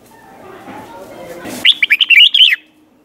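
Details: Training song for young birds: a Red-whiskered bulbul in the doubled 'boen' style, '100 Archeep' tune; after a soft noisy lead-in, one clear phrase of about seven quick, lilting whistled notes, rising and falling.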